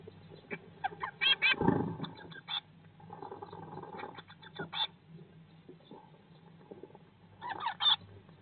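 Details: Eurasian blue tits inside a nest box, day 19 after hatching, spring 2022: scattered thin high chirps and short clustered twittering, with a steady low hum and occasional thumps of movement.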